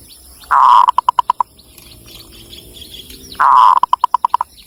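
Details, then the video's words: Zebra dove of the local Javanese type, Cilacap, Central Java: two phrases, each a drawn-out coo running into a rapid series of clipped, evenly spaced notes, over faint background hum. "SUARA BURUNG PERKUTUT LOKAL JAWA GACOR"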